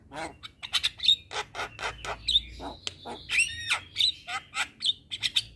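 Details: Javan myna (jalak kebo) singing energetically in a tutor recording for kept birds. Rapid run of harsh grating bursts interleaved with bright upslurred whistles, continuing without pause through the passage.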